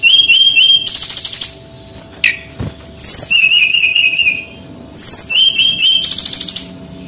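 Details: Male brown-chested jungle flycatcher from Bali singing energetically, a master recording for training other birds: bright whistled warbles and trills, bursts of high buzzy notes, a sharp click midway, then a second phrase of warbled whistles and buzzes.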